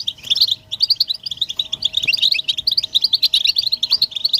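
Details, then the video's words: Several European goldfinches in collective chatter, calls of mating and readiness that prompt males to sing; quick bright chirps pour out in a steady, crowded stream with a faint background hum. "بتبتة حسون الشوك تحفيز الحسون على التغريد والهيجان علاج صمت الحسون goldfinch stimulation"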